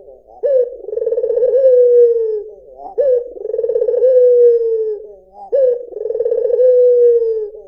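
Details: [['Repeated cooing from a white Barbary dove: three rhythmic rolling coos, each ending in a soft, prolonged downward slur, set about two and a half seconds apart.']]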